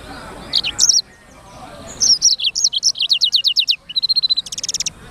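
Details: Black-throated canary in full song: short bursts of high twittering, then a long rapid series of downslurred notes, a sustained steady whistle and a closing fast buzzy trill.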